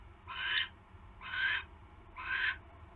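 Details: At a barn owl nest on the night of 27 January 2016, while a mouse is brought in, three drawn-out breathy screeches come roughly a second apart against faint low background rumble.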